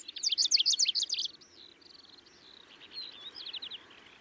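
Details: Middendorff's grasshopper warbler in Kaohsiung, Taiwan, on 25 May 2023: a loud burst of rapid, high chattering notes repeated several times a second, then softer drawn-out whistles and a quieter run of short notes.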